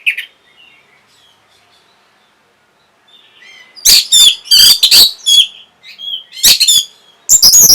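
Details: Orange-headed thrush, its song aimed at stimulating breeding and getting a reply: one opening note, a long quiet spell with faint twitters, then loud varied scratchy phrases and sweet whistles in quick succession.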